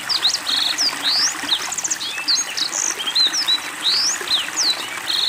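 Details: Black-throated Canary in active song with water therapy: clear upslurred and downslurred whistles mixed with short mechanical trills, delivered quickly and continuously, faint water trickling underneath.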